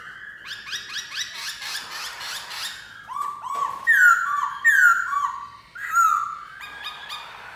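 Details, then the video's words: Black-throated laughingthrush in song, fast rippling whistles giving way to strong downward-slurred fluty notes repeated about every second, with quieter chattering between phrases. "Khướu bạc má hót hay!"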